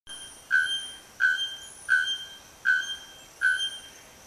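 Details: Bare-throated bellbird (Procnias nudicollis) about forty metres away among branches giving five loud, ringing metallic clangs, evenly spaced less than a second apart, over a faint steady hiss.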